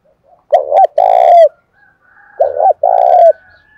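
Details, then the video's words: Spotted dove provoked to fight during the rainy, windy seventh month, giving two steady coo phrases, each a short stuttered double note followed by a long sustained hollow coo that slurs downward at the end. "Tiếng chim cu gáy thúc đấu tháng bảy mưa gió rất căng"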